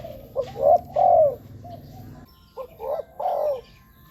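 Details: Spotted dove giving two short phrases of low, hoarse cooing, meant for luring wild doves. Each phrase opens with a brief note and ends in a longer falling coo, with a slight break between the two.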